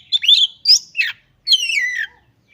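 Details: Oriental magpie-robin singing vigorously, showing off its mimicked song repertoire: loud, sharp whistled phrases with quick upward and downward sweeps, in three bursts separated by short pauses.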